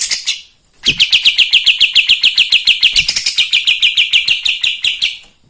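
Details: Kapas tembak singing nonstop to stir up other birds: a short bright burst, a brief pause, then a steady rattling series of scratchy, high chirps at about three or four per second for over four seconds.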